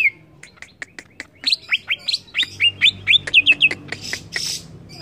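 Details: Cucak ijo, the greater green leafbird, singing excitedly: dry ticking clicks lead into a string of rapid rising whistled notes, about four per second, ending in scattered sharp chips.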